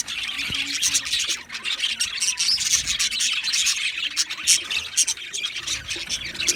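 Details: Busy twittering of Australian budgerigars: thick high warbling and scratchy chirps throughout, a few clearer squeaky notes standing out over the steady chatter.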